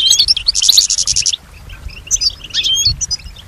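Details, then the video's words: Female European goldfinch song imitating sounds around her: a loud rattling buzzy trill in the first second and a half, then quieter scattered liquid twitters and chirps. "Solutions to keep your goldfinch healthy and singing with strong stimulation"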